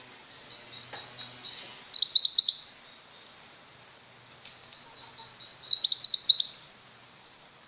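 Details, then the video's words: Singing female mountain white-eye, recorded for training pet birds: high twittering trills building into loud rapid chattering bursts, two such phrases a few seconds apart, each closing with a brief rising note, against a quiet background. "mantenan gunung betina gacor"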